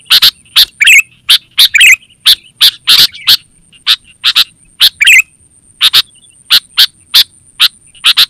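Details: Vigorous sooty-headed bulbul call for luring wild birds and training kept bulbuls: steady stream of sharp chipping notes roughly twice a second, interspersed with a few warbling gurgles, against a constant faint high tone.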